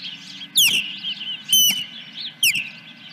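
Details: Osprey on its nest, morning of July 10, 2021, fish delivery: three shrill downward-slurred whistles, one flatter and longer, separated by soft high twittering.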